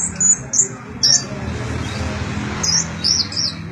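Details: Brown-throated sunbird singing as song material for training magpie-robins: thin, very high whistled notes and brief trills given in separate short phrases, with pauses between them and a faint hum below.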